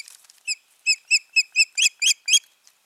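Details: Nesting osprey pair, 14 June 2019, giving a loud, close string of about eight ringing, whistled piping notes at an even pace, growing a little harsher near the end.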